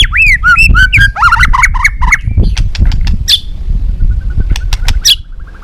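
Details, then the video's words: Balak 6 white-rumped shama singing as a trapping lure: looping, curling whistles at a brisk pace, then a series of sharp clicks and thin chips, with low steady noise throughout. "Suara Masteran Pikat Burung Murai Batu Balak 6 (Whiterumped Shama)"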